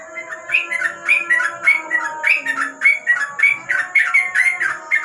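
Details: Sooty-headed bulbul pouring out a rapid ropel song at night under a lamp: loud, regular pulses of bubbly slurred whistles, roughly two notes a second, continuing without break over a thin steady background tone.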